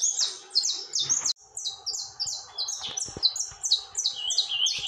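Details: Saffron finch pouring out song without stopping: loud high descending chirps, a brief break after one second, then a long even series of falling notes resumes.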